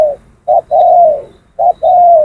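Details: Trained decoy Spotted Dove, about two years old, that has passed training, cooing loudly and close: a short clipped note followed by a long sustained mellow coo, the pair repeated twice, with little else audible.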